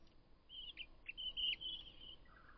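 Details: Male robin puffing his chest while courting a female; a high, sweet warbling phrase of rapid tinkling notes, ending with a lower fluttering flourish, against soft background noise.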